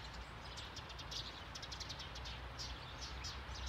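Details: Eurasian tree sparrows in a bush beside a nursing home lawn in Sundsvall, Sweden, on 9 November 2021, giving quick high chirps scattered through the clip above a constant low background hum.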